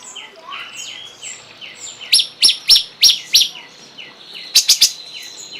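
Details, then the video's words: Soft squeaky high notes give way to a run of loud, sharp slurred chips from a cungkok, ending in a quick high flourish. "masteran burung cungkok"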